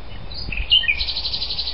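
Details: Common nightingale, Algutsrum, Öland, 14 June 2010: varied whistled and scratchy notes lead into a sustained, rapid rattle of repeated high chirps.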